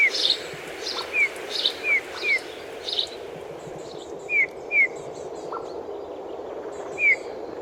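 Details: Eurasian bullfinches feeding on rowan berries in winter give soft, short, falling piping whistles at irregular intervals, with fainter high chirps from other small birds behind.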